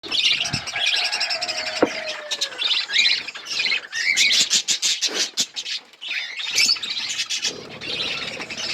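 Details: Budgerigars in an outdoor aviary set in a forest environment, eating seeds: dense overlapping chatter of warbles and sharp chirps, with brief pauses in the calling.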